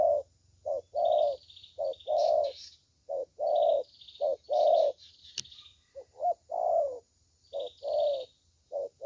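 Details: Good-voiced spotted dove ('thổ tơ') singing a long run of low coos, short clipped notes alternating with fuller rolling ones. A single sharp click midway, and distant high bird chirps throughout.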